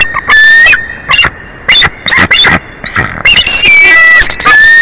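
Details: Wild bald eagle pair at their nest in Big Bear Valley, recorded by a nature live cam on 02/23/2024 at 11:04; loud, high whistled calls with strong overtones, some long steady notes and rapid bursts of chattering notes between short pauses.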